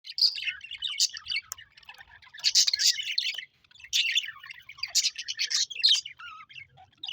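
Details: Pet Australian budgerigars chirping: dense, scratchy warbling chatter with quick high chirps and squeaks in overlapping bursts, pausing briefly midway before resuming, several birds apparently calling together.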